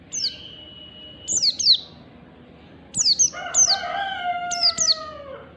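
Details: Oriental white-eye singing in the morning, meant for training caged birds: single and paired high downslurred chirps, accompanied by a long, lower, gently falling whistle with harmonics in the second half.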